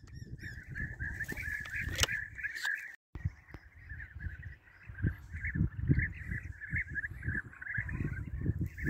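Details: Calling flock of European bee-eaters at a hunting site, many birds giving continuous rolling, purring calls that overlap without pause; a loud sharp shot near the two-second mark and heavy low-pitched handling and wind rumble throughout.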